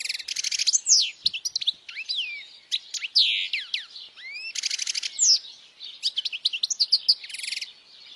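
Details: European goldfinch loud song for young goldfinches to learn: buzzy rattling trills alternate with sweet slurred whistles and twittered chirps, the buzzy bursts returning every few seconds.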